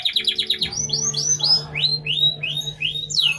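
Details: Moulting canary near dusk giving prinia-style song: a quick run of short notes, then clear upward-arching whistled notes repeated about three per second, over a steady low hum.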